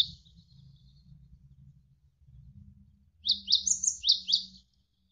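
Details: Javan sparrow singing over flowing water, meant as a training recording for contest birds: after quiet water noise, a brief burst of about six piercing, high, down-slurred chirps delivered rapidly.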